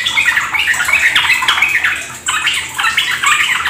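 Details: Yellow-vented bulbuls singing in the rapid 'ropel gacor' style: busy, jumbled chirps and bubbly warbles in bursts, with a brief dip near the middle before the chattering resumes; a watery background.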